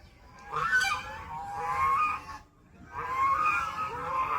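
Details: Ducks in a forest setting making unusual sounds: two drawn-out, nasal, honking calls with wavering pitch, each lasting about a second and a half and separated by a short pause.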